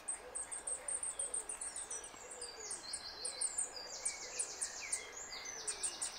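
A goldcrest gives very high, thin squeaks in quick runs and short trilled bursts, with a soft, low hooting sound faintly in the background.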